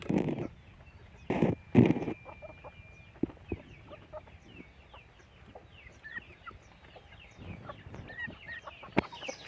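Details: Raised pet chickens: a few loud thumping knocks open the recording, then scattered soft clucks and high descending chirps continue at a relaxed, uneven pace.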